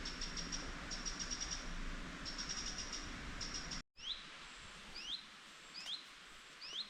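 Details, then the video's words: Wild birds chirping in a forest during a hike: first a series of high, rapid, buzzy trills, then after a brief break several short, sharp upward-sweeping chirps, over a steady background hiss. "Forest Birds Chirping"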